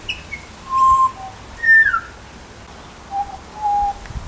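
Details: Butcherbird giving four pure, flute-like whistles: a level note, a higher note that slides down, then two steady lower notes after a pause, in an otherwise quiet setting.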